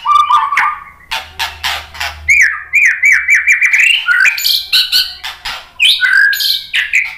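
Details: White-rumped shama (murai batu) chattering song used as a lure to set other birds singing: low whistled notes, then sharp broadband clicks, a run of rapid slurred rising whistles and bright high varied phrases, loud and continuous.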